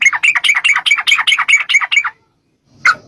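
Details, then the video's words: Sooty-headed bulbul in a rapid, long-rolling fighting song used as a lure: a fast run of about a dozen chirpy, gurgling notes, then silence and one final sharp note. "trucukan gacor TARUNG ROPEL PANJANG pancingan trucukan agar bunyi jadikan burung trucuk gacor NYAUT"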